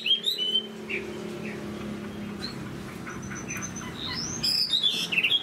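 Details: Moulting Chinese hwamei with a big, fine frame sings high: brief whistled notes at the start, a quieter sparse stretch with a thin sustained tone, then a burst of sharp, rising and falling whistles near the end.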